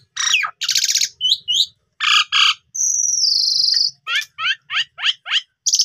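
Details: Asian pied starling singing as a lure for silent young birds: grating buzzy notes, paired chirps, a long steady high whistle, then a run of short rising chips about every half second.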